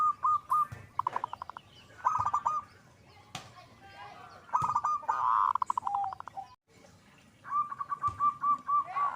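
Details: Zebra dove in full song, giving several bursts of quick, evenly pitched cooing notes spread through the recording, mixed with sharp clicks and knocks.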